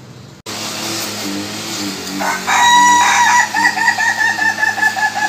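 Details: Ayam ketawa, the laughing chicken breed, crowing: after low tonal background sounds, a loud crow breaks into a long run of rapid, stuttering, laugh-like notes that repeat quickly and fade toward the end.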